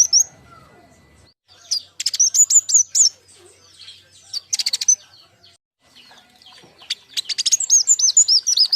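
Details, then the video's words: King konin song for luring and training young birds: high, rapid, looping whistled phrases mixed with buzzy rattling chirps in several bursts separated by short silences. "Kicau andalan KING KONIN"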